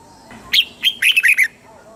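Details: Red-whiskered bulbul from Thailand singing a southern master-style song, played to stimulate birds and teach young ones: one short phrase of about six bright, clipped whistled notes, rising then falling, within one second.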